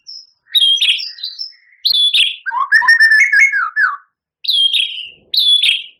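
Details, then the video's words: White-rumped shama song for training captive songbirds: varied sharp whistled notes with a rich chattering middle section of rapid mixed phrases, followed by two separate downslurred whistles. "Suara Murai Batu Juara,Tembakan Murai Batu Gacor Full Isian Kasar Panjang Mewah"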